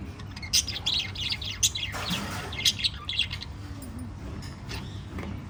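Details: Five lovebirds in a parrot family chirp loudly in sharp, high clicks and twitters, clustered in quick runs early and thinning out later, over a low background hum.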